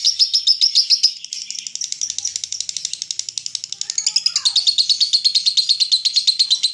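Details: Long 'konslet' ngekek of a lovebird, meant to prompt other lovebirds to join in: a fast, shrill chattering trill that runs without a break, briefly shifting in pitch near the middle before settling into even, rapid pulses.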